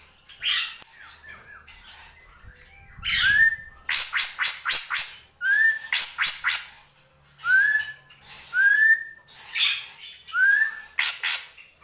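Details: Drongo delivering a varied song: loud upward-sweeping whistles repeated roughly every second or two, interleaved with rapid buzzy, rasping chatter bursts and a brief low rumble early on.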